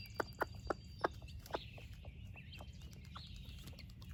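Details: Splash laced red Wyandotte broody hen clucks rapidly, about five short sharp notes in quick succession, then falls quiet while her baby chicks keep peeping in high, rising notes as she shares breakfast with them.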